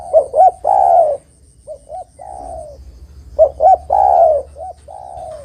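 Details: Lure song of a spotted dove for trapping other doves: two loud cooing phrases, each two short hoots and a long falling coo, trailed by a softer repeat, over a constant high-pitched hum.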